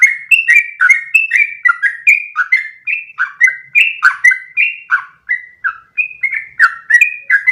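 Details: Long one-breath ropel of a lively trucukan (yellow-vented bulbul), used as a tutor song; steady stream of quick bubbling whistles, each note swooping down or up, continuing for over seven seconds.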